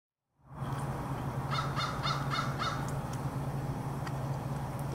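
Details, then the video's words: American crow recorded on 4 February 2024; a series of about six short, harsh caws spaced roughly a quarter second apart, fairly faint over a steady low hum and background noise. "american crow"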